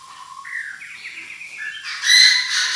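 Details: Chinese francolin decoy bird calling the flock, starting with a low whistled note and climbing in steps through higher drawn-out tones. It ends in a sudden loud, harsh, rasping burst.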